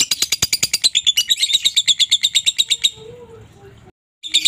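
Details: Lovebird masteran song for tutoring caged lovebirds: a rapid, high, rattling chatter of evenly spaced pulses for about three seconds, fading into quiet room noise, with a brief burst returning at the end.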